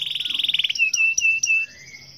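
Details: Canary singing: a quick high trill of repeated notes, then several clear sustained whistles with sharp accents, ending in a soft rising whistle.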